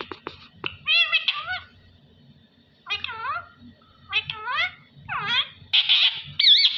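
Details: Talking parrot, clipped mimicked syllables with bending harmonic pitch in several spaced phrases, ending with a bright squeaky whistle; low room hum throughout.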